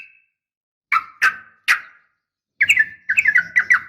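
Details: Yellow-vented bulbul female calling to a male: three separate sharp chirps, a short gap, then a quick run of bubbling, slightly descending notes.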